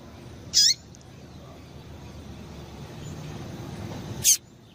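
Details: Female double-collared seedeater call, aimed at stimulating males; just two short, piercing high chirps separated by nearly four seconds of quiet low hum.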